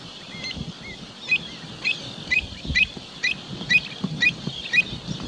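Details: Kentish plover at Kinburn gives short, high, slightly upslurred 'pit' notes about twice a second, over a low wind-like rumble.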